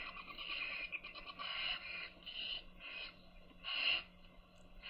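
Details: Owlets begging as their mother feeds them: broad, rasping hisses come in uneven bursts about once a second, with one louder hiss near the end.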